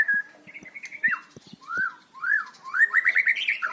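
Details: Varied white-rumped shama singing, used to coax silent birds: a flat whistle, then separate arched whistled phrases, ending in a fast rising series of repeated chirpy notes, with faint clicks underneath.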